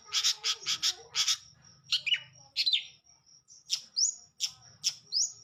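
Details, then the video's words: Long-tailed shrike singing vigorously: loud harsh raspy bursts repeated in quick succession, then sharp downslurred notes and chips, over a thin continuous high-pitched whine. "burung cendet gacor"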